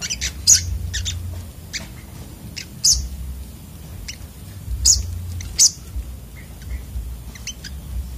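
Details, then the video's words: Sunbird giving sharp, very high chirps and clicks in loose bursts with short pauses, some notes doubled, over a constant low hum. "burung sogok otong terapi ngamuk"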